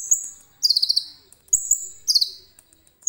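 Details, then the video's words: Caged common iora with learned cililin song, phone-recorded: thin high drawn-out whistles, each dropping into a short burst of quick buzzy notes, the pattern repeated about every second and a half, with faint taps. "KONIN GACOR FULL ISIAN CILILIN JERNIH"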